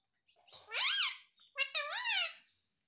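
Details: Talking rose-ringed parakeet kept as a pet and saying "mummy papa": two drawn-out, rich, voice-like syllables, each rising and then falling, separated by a brief gap in a quiet room.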